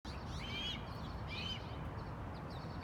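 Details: A young eagle, unseen, sits under a spruce tree calling loudly: two thin, high, slightly wavering squeals about a second apart, over a steady low rumble of wind or traffic.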